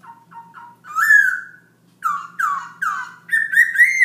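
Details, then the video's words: Black-throated laughingthrush singing non-stop at night around 11 pm: short low whistled notes, then loud rich slurred whistles rising and falling near the middle, a brief pause, and a run of strong upward-swept whistles. "Black throat laughing thrush night song"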